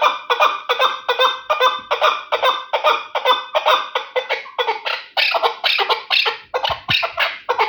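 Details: A Terali chukar partridge, described as the finest partridge, calls in a steady, rhythmic series of harsh chuk notes, about two or three each second, loud and rich in harmonics.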